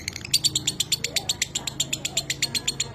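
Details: Lovebird minor kering song from a training recording: crisp, high, rhythmic ticking chatter repeated roughly eight times a second, with faint low hum in the background.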